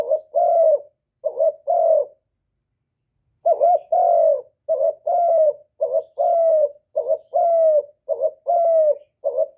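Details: Repeated cooing from a spotted dove, used to provoke rival birds, in a quiet recording: two-part low coos, a short note then a longer falling one, broken by a pause, then a fast steady series.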